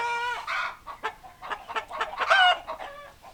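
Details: Chickens, hens and roosters, open with a drawn-out harmonic squawk, then a run of short choppy clucks and a louder cackling burst near the end.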